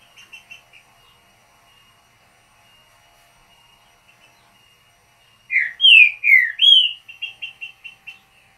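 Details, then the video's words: Green-winged saltator, described as a true trinca-ferro, giving a short song in the "mateiro" style: faint scattered chirps at first, then a loud phrase of slurred, rising-and-falling whistled notes followed by a quick run of short repeated notes. "Trinca canto curto mateiro"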